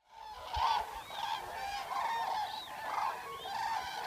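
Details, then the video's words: Wild Eurasian cranes, also called common cranes, recorded during a night spent out in the wild: a chorus of loud, trumpeting honks with rich harmonics, several birds overlapping in near-continuous calling with some higher rising notes. "Eurasian Cranes Sound Library"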